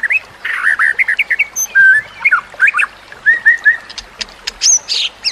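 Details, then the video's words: White-rumped shama song recorded for training other shamas, with nature sounds and trickling water: a fast varied run of whistled notes, slurred phrases and sharp chirps, rising and falling, with some high buzzy bursts near the end. "Kicauan Murai Batu yang Menggoda Telinga"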